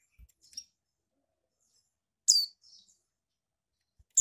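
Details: Captive female mountain white-eye from Malang in East Java, calling to excite males to sing: short, very high, sharp chirps at irregular intervals, each followed by softer trailing twitter, with faint low taps.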